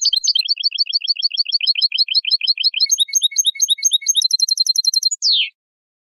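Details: Moroccan European goldfinch tutor song for captive goldfinches and hybrids. A long, fast trill of paired chirps changes to higher, tinkling notes and ends with a sharp downward-sliding note.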